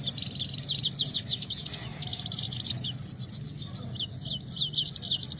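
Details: Himalayan goldfinch, known as Saira, singing in a contest: a fast, continuous stream of high chirps, trills and twittered phrases, loud and unbroken throughout, with only a faint low hum behind.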